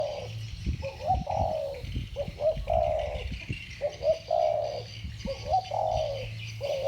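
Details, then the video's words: Two spotted doves with the 'thổ bầu' voice style calling against each other: short low coos each followed by a longer falling, hoarse coo, repeated in overlapping phrases, with a faint high buzz and low hum behind. "Tiếng chim cu gáy giọng thổ bầu. 2 con giọng thổ bầu solo với nhau"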